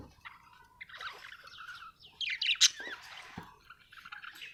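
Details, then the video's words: Chirping Australian budgerigar giving soft, wavering warbles that build into a louder squeaky, buzzy burst before trailing into quieter twitter, with one faint low knock. "Australian beautiful birds sound 😍 budgie chirping sound"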